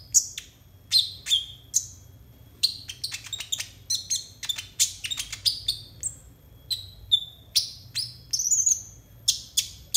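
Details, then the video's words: Konin song played as a tutor recording for untrained konin birds: rapid bursts of sharp, high chirps and short whistled notes, often dropping in pitch, repeated about every half second with brief pauses, over a faint low hum. "TERAPI AMPUH UNTUK BURUNG KONIN 100% COCOK BUAT MASTERAN KONIN BAHAN"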